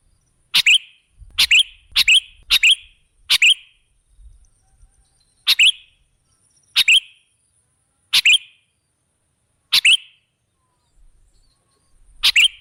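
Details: Sooty-headed bulbul played as a lure to draw other birds: a rapid string of five short chirps, then single chirps at irregular intervals of one to two seconds.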